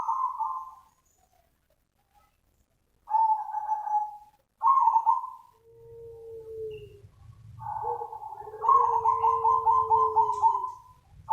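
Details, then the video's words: Zebra dove call meant to draw in other doves: several short burry coo phrases, then a lower smooth whistle joins, ending in a fast stuttering series of pulses, over low hum. "SUARA PANGGILAN BURUNG PERKUTUT SUPER NUTUT AMPUH UNTUK PANCINGAN || ZEBRA DOVE"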